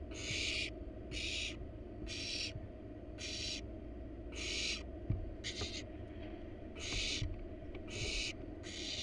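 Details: In a wild barn owl nest box the parents deliver a rat to the nestlings; nine raspy hisses come in an uneven series, with scattered clicks and scuffles of movement and a low steady hum.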